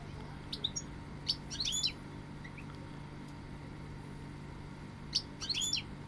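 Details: Goldfinch with two short bursts of high, jingling twittered notes separated by a quiet gap, with a low steady hum throughout.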